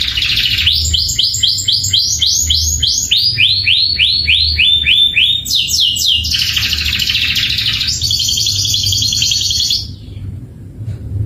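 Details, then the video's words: Canary performing roll and 'tembakan' song passages. Rapid, high, repeated chirping notes run in quick series and shift to different pitches. The song ends in a sustained buzzy trill before falling quiet, over faint low background noise. "Roll & tembakan kenari mantap"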